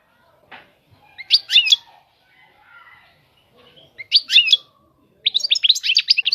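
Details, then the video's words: Short, sparse bursts of goldfinch chirps separated by quiet stretches. A longer run of quick twittering notes closes the passage. "طائر الحسون. اجمل الطيور المغردة Goldfinch. The most beautiful songbirds"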